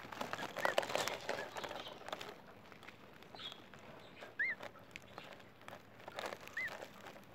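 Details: A zero-day-old emu chick makes a few clear, high, arching peeps spaced a couple of seconds apart, amid rustling, scratching and handling sounds.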